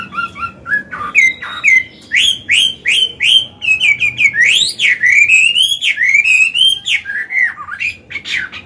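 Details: Caged Chinese hwamei, an old wild-caught bird, in full song used to train and stimulate other caged birds; loud varied whistled phrases, rising and falling slurs, fast repeated notes and sweeping glides.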